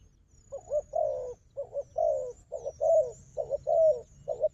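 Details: Low throaty coos in paired phrases, starting after a brief quiet moment, from a wild dove noted for fighting alongside a decoy dove; faint high whistles in the background.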